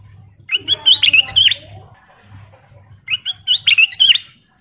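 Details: Golden kutilang, a sooty-headed bulbul singing as a lure for other birds, repeats a bright warbled phrase twice, each a quick run of fluty, looping whistles, over a steady low hum.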